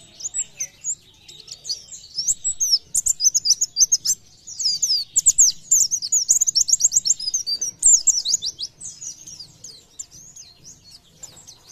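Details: Oriental white-eye singing in the lively 'gacor nembak' style: dense bursts of very high, sharp chirps and fast rattling trills, with a strong run of rapid, evenly spaced notes in the middle and a faint low hum behind.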